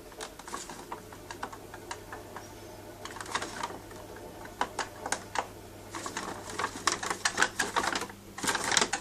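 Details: Irregular clicking bursts like keyboard typing sound over a low steady hum indoors.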